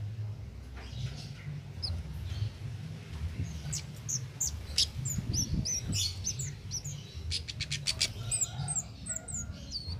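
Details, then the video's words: Cit keres singing vigorously in the ngalas style, without doping, used as a master recording for training songbirds: rapid, high, thin chirps and short sweeping notes with quick trills, over a steady low rumble. "Cit Keres Nembak Buat Masteran"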